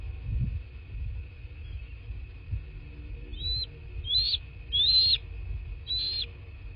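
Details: Nest-camera recording from southwest Florida, 23 February 2024, of a bald eagle at the nest: four high, thin chirping whistles, the third longest and clearest, delivered unevenly over about three seconds against soft low rumble and a constant hum.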